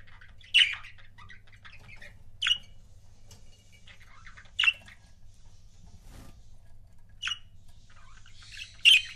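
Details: Pet budgie couples chirping; short, sharp, high chirps come singly about every two seconds, separated by near silence over a faint low hum.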